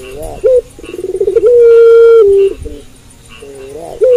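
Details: Night-time cooing of a puter pelung dove. A short wavering note and a clipped call lead into a fast pulsing stutter, then a long level coo that steps down. Another phrase begins at the end.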